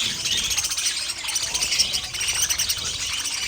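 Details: Budgerigars kept as pets give a busy stream of high, scratchy chirps and twittering notes, many birds calling at once in a constant, lively babble.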